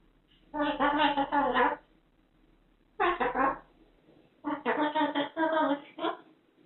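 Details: Pet cockatoo chattering nonstop in a made-up language, repeating its own name over and over. The clip holds three bursts of harmonic, speech-like babble, each one to two seconds long, indoors with brief background music.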